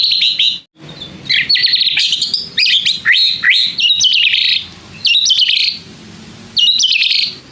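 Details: Shama song meant to draw a reply from other shamas, a rapid run of high whistled and chattering notes with sharp buzzy flourishes, loud phrases separated by brief pauses, a faint low hum behind.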